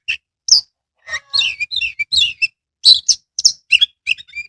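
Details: Oriental magpie-robin, a kept songbird, delivering lure song for birds slow to sing: bright whistled phrases mixed with scratchy, warbled notes and quick rising chirps in close succession.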